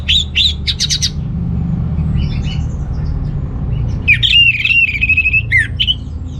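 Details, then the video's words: Orange-headed thrush singing to spur males lacking breeding drive: bursts of sharp high notes, then a long wavering whistled phrase with quick trills, over steady low background hum. "ANIS MERAH Gacor Untuk Pancingan AM Jantan yang Kurang Birahi"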